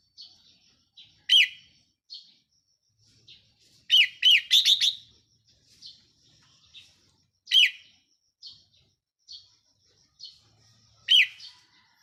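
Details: Red-whiskered bulbul kept as a decoy bird, recorded 4 May 2023: loud, short warbled phrases sweeping across a mid-high pitch, given four times about three seconds apart, one burst as a quick cluster of three, with soft high chirps between.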